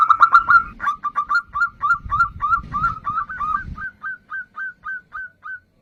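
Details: Fast tumbling burst of coos from a local zebra dove in vigorous song, settling into evenly spaced soft notes about three per second. Low rumbling background noise fades out partway.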